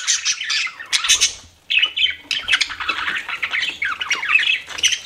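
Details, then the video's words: Pet budgerigars chirp and squawk in lively overlapping warbles, broken by a brief lull before the high, scratchy chatter resumes and continues steadily. "CUTE PET BUDGIES CHIRPING"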